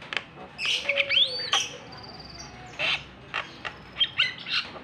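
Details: Rising and falling whistled swoops, a grating squawk and scattered harsh chips from a Javan myna, a provoking call to get a lazy bird singing; a low steady hum underneath.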